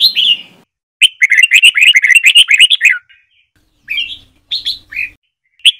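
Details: Red-whiskered bulbul in the Trà My singing style, recorded to train young white-cheeked birds: a short whistle, then a long fast run of bright warbled chirps, followed by several spaced slurred notes over a faint hum.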